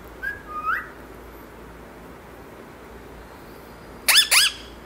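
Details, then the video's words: Pet parrot urged by its owner to say "papa" gives two short rising whistles, falls silent for about three seconds, then ends with a pair of loud, harsh, speech-like squawking syllables. "Parrot sound"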